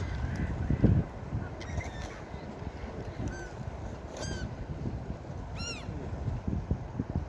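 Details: Gulls by the shore: a few quick high yelps in the second half, including a sharp descending cry near the end, against thumping surf and wind.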